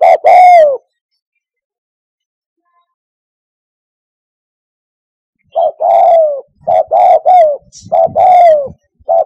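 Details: Spotted dove coos used as a hunting lure from a hide. One falling coo opens, then a long quiet gap before a run of short clipped notes and drawn-out descending coos in quick succession.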